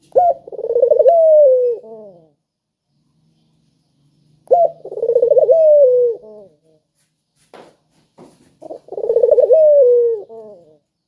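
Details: Spotted dove recorded as a lure to prompt quiet doves into calling. It gives three mellow, rolling coo phrases about two seconds long, each opening with a short clipped note and then a throaty, trilled coo that dips at the end. The phrases come about every four and a half seconds against a quiet background, with a brief click between the last two.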